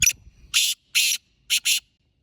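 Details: Black francolin calling in the wild: harsh, grating, broadband notes in a fixed rhythm, one short note, two longer rasps, then a quick paired double rasp, loud and close against near silence.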